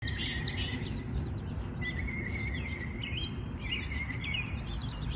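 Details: Birds singing in the early morning in their natural habitat: scattered high chirps and short trills over a steady low rumble of background noise.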